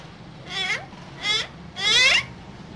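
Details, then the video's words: Green parrots in a cage, two birds said to be talking: three raspy, descending calls in quick succession, with the last one longest and loudest. "Two Green Cute Parrots Talking In Cage"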